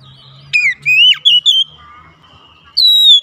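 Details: Kacer (Oriental magpie-robin) song meant to get a lazy bird singing: a few spaced, clear whistled notes, some falling and one rising, with a faint low hum.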